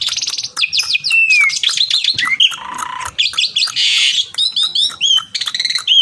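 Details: Javan pied starling in full, energetic song, calling out to a rival: a fast medley of high whistled notes, slurred downward whistles, buzzy harsh bursts and a low rasping segment, with scratchy chatter between phrases.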